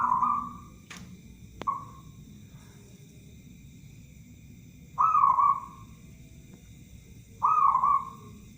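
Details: Local zebra dove used as a lure bird for trapping gives clear, high cooing phrases, each a short ringing note falling slightly, spaced irregularly about every two to three seconds over a faint hum.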